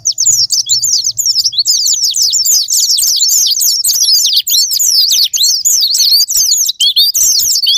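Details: Japanese white-eye song used as a lure that makes caged birds sing: a long, unbroken torrent of hurried, high-pitched slurred chirps and warbles, steady in loudness throughout.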